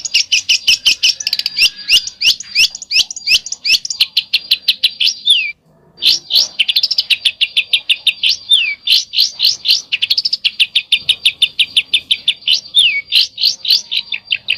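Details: Long stream of besetan-style song, rapid scratchy high notes about three a second with occasional falling whistled slurs, broken once by a brief pause.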